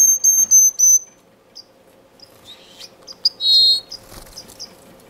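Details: A male Blue-capped Cordon-bleu sings in an indoor, non-breeding community aviary in Edmonton, Canada, on Feb 18, 2015: high, thin whistled notes, three quick ones at the start, then scattered squeaky phrases, with a faint steady hum underneath.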